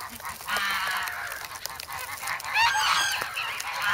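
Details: Hungry geese grown from goslings in snowy Sloterpark, Amsterdam, early February, pecking for bread; rapid clamour of nasal honks with a louder stacked, wavering squawk after two and a half seconds, plus clicking pecks.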